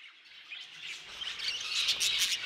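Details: Budgerigars in a former aviary, a soft warbling chatter of many birds building in loudness, dense high chirps and twitters layered together.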